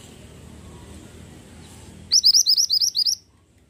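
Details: ['Pied bushchat singing: after low background rumble, it gives about eight quick, piercing, upslurred whistles in a one-second run.']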